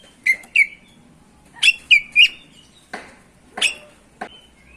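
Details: Oriental magpie-robin (kacer) singing continuously ('ngerol') as a lure for other kacer: paired and tripled loud whistled notes, then a few short, clicky chips.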